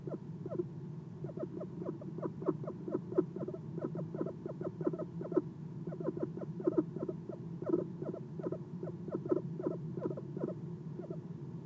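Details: Perched at its nest box at night, an Eastern screech owl gives soft chirps: long unbroken series of short downslurred notes, fast and even, with a few louder accents and constant faint hum beneath.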